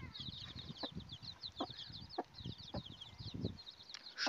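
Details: Turkey hen with her chicks: a steady stream of thin, high peeps from the chicks runs throughout, broken by short, low, soft clucks spaced roughly every half second, with faint rustling beneath.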